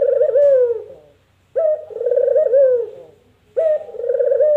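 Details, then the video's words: Puter, a dove whose call is rendered 'kuk gerruuuk' or 'mpuk jerruuuuuu', giving two full phrases and the start of a third. Each is a sharp opening note running into a long, vibrating coo that sinks at its close. "Suara Burung Puter Empukjeruu"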